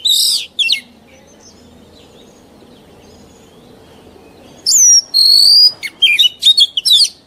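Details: Old wild Oriental magpie-robin, song used for training juvenile birds: a short whistled burst at the start, several seconds of quiet background, then a lively sequence of clear slurred whistles and quick notes.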